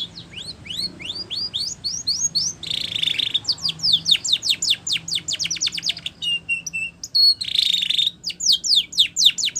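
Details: Spanish Timbrado canary sings for training canaries, long sequences of quick downslurred whistles interrupted by buzzy rolling trills and a few thin level tones.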